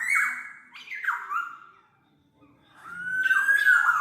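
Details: Black-naped oriole used for tutoring caged birds and luring: a run of harsh, nasal, falling notes with buzzy overtones, a short silence, then another bright slurred phrase.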